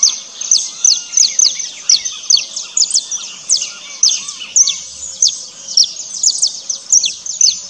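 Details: Saffron finch, found walking on the ground in search of seeds and insects: dense, steady chatter of sharp, high chirps repeated several times a second, overlapping as if from several birds, with a faint hiss of background noise.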